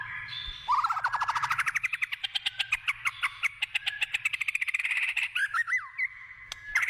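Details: White-rumped shama in the wild delivering a long run of rapid staccato notes that quicken and climb, then a few looping whistled slurs and a steady held whistle.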